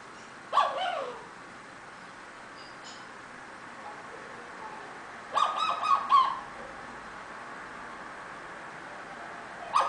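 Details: Eclectus parrot, a pet bird, giving short harsh squawks: one near the start, a burst of three or four raspy notes around the middle, and another at the end, with quiet room hiss between.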